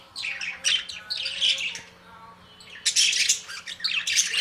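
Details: Budgerigars in a small indoor space give bursts of raspy chirps and squawks, then a short quieter pause before another loud, busy flurry of scratchy chatter, with a faint steady low hum underneath.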